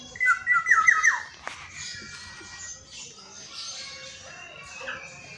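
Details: Caged Black-naped Oriole kept as a pet that calls every dawn, giving a short fluted whistled phrase of quick rising and falling notes lasting about a second, followed by quieter background sounds.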